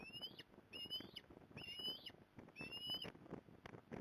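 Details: Osprey at a nest in Port Lincoln, Australia, 15 November 2020, mother coming to help; four sharp upward-sweeping whistles about once a second, with rustling and tapping between them.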